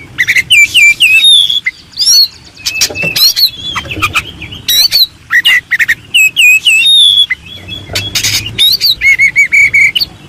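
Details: White-rumped shama used as master song for contest birds, pouring out a rapid, varied stream of rich whistles, sharp clicks and harsh buzzy squawks, many phrases loud and densely packed over ten seconds.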